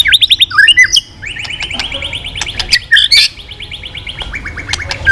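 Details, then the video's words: White-rumped shama in intense song, continual tail flicking: an opening of quick descending whistles, then a long, fast, even rattle of repeated high notes with sharp clicks. "Chòe Lửa kéo dây yến đảo giọng đập đuôi liên tục. kích Chòe Lửa hót căng."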